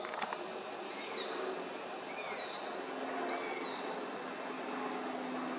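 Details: A young Eurasian sparrowhawk gives three thin, high, drawn-out squealing begging whistles about a second apart, over a steady hiss of wind or distant traffic; Beemdkant, Wijnegem, 11 August 2021.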